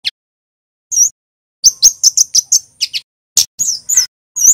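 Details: Red male kemade from Java, the Scarlet-headed Flowerpecker, giving high thin notes: a lone chip, a slurred whistle, then a fast cluster of sharp ticks and downslurred whistles ending in a rising note.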